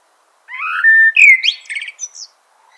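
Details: Common blackbird delivering one phrase. A rising flute-like whistle leads into a steady mellow note, then a sweeping upward slur and a scatter of quick, squeaky high twitters.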